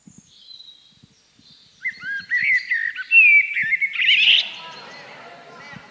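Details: Common blackbird song played back as the third Parisian bird in a guessing quiz at a public round table on 29 September 2018: fluty whistled phrases rising into a twittering, squeaky flourish, with faint audience noise and soft thumps.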